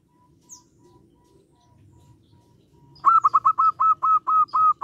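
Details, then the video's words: Local zebra dove (perkutut) calling and answering: faint, evenly spaced single notes, then a loud burst of about nine quick, clipped, mid-pitched notes, with a soft low rumble in the background. "Perkutut lokal gacor suara memanggil ngejek bikin emosi nyaut"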